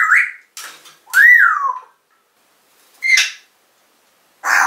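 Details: African grey parrot kept in a cage, recorded in 2012 while talking and calling for its owner's mum; short sliding whistles and clipped squawks come in separate bursts with silent gaps, then a harsher noisy note at the end.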